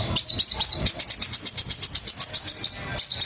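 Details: Sogon master song used to train caged birds: rapid series of high, sharp upslurred chirps repeated several times a second, steady and unbroken for about three seconds, ending with a brief pause and a fresh burst.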